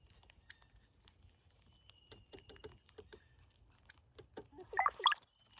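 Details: Cowbirds at a feeder during migration: soft taps and faint high whistles, then a loud rapid gurgling burst of sliding notes ending in a very high, squeaky squiggle.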